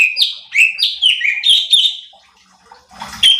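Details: Cucak cungkok bulbul recorded as a training track to provoke other birds: a run of loud whistled notes, each sliding downward, repeated quickly for two seconds, then a pause and a brief noisy rustle.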